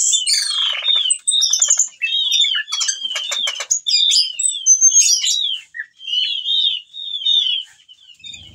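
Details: Whistling thrush (ciung batu) in breeding condition calling to a female, singing a rich mixed repertoire; used as a lure for other birds: quick whistled and chattering phrases, slurred notes rising and falling, brief pauses between bursts.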